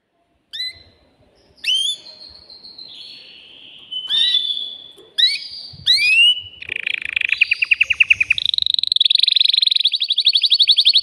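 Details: Excited male canary in a cage, singing to stimulate a female for mating. Scattered whistled notes that slide downward open the phrase, then broaden into rapid buzzy trills and a long, fast, evenly pulsed rattle at the end.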